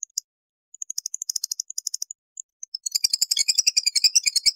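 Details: Caged lovebird used for luring other lovebirds: sparse, sharp ticking chips in a loose series, then the start of a rapid, high, rattling ngekek trill.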